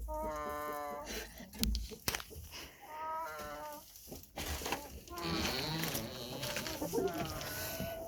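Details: Sleeping chicken snoring: a series of nasal, droning groans with stacked overtones, each lasting about a second and followed by pauses. There are short clicks and knocks between groans, and the final stretch rises into a longer, wavering snore.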